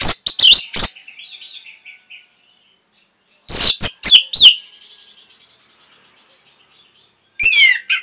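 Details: Masteran training song of an orange-headed thrush for caged birds: clusters of loud, piercing high notes with falling slurs, separated by faint warbling trails and gaps of silence, ending with a downslurred whistle.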